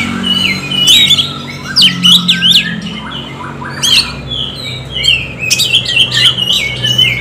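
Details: Lure song of an Oriental magpie-robin, played to stimulate birds to sing: loud, varied whistles, sweeping notes and harsh chirps in quick clusters, over a low steady drone.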